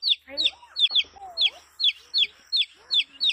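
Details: Healthy colorful hen chick peeping steadily: sharp, high, falling cheeps at a brisk even rhythm, about nine in a row, with quieter low gliding notes between them.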